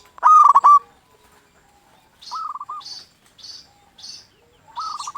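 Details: Zebra dove, local type, singing to spur other zebra doves. One loud trilled coo opens, then two softer rolling phrases, while a separate bird gives thin high chirps about twice a second.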